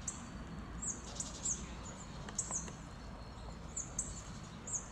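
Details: Hawfinch in late February near Levice, Slovakia, giving sharp, very high 'tzik' calls, about eight scattered through five seconds, over a steady low rumble of wind or distant traffic.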